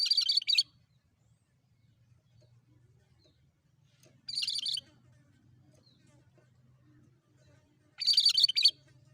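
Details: Lively cucak kerinci (cream-striped bulbul) song used to lure birds: three brief, rapid chattery phrases spaced roughly four seconds apart, bright and high, over a faint low rumble.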